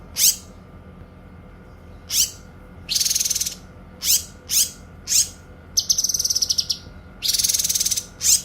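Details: Songbird training recording of cililin against cucak kinoy, singing actively. Sharp upswept high notes are separated by pauses, mixed with dense buzzy bursts and one fast rattling trill over a steady low hum.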